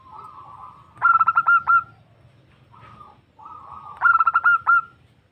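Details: Female zebra dove calling a male, used for luring: each phrase opens with a soft rolling purr, then breaks into a quick string of bright clipped coos, heard twice.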